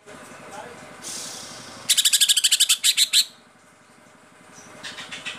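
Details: Cucak ijo, the Greater Green Leafbird, singing gacor with 'tembakan' shots: a brief hiss, then a quick series of about a dozen sharp high chirps slowing toward the end, followed by softer scattered notes and a low hum.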